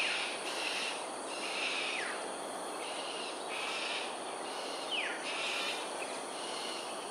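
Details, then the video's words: Morning aerial display of cockatoos at Sungei Ulu Pandan, Singapore, 13 January 2022, 7.43am: a string of about seven raspy screeches, loosely spaced, plus two brief falling whistles, against a continuous high hiss. "Cockatoos "Aerial Display""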